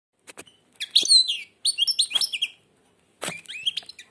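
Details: Blind European goldfinch singing with its beak almost closed: three bursts of rapid, high, tinkling twitters and liquid trills separated by short pauses, with a few soft clicks at the start.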